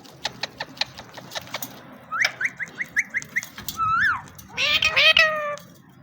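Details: Male Indian ringneck parrot, playful, gives a quick run of about six short rising chirps, then a wavering whistled note and a harsh, harmonic squawk, with clicking sounds before.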